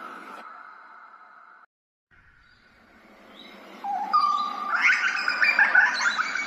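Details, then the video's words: Australian grey butcherbird recorded with ambisonic surround sound: a long steady hum-like tone, a brief gap, then a rising whistle breaking into loud, mellow, overlapping fluted notes against constant hiss. "Grey butcherbird"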